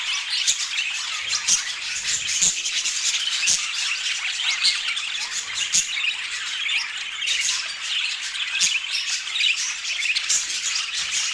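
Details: Budgerigars in long, unbroken chatter, many high chirps, warbles and harsh squawks overlapping, punctuated by occasional sharp taps.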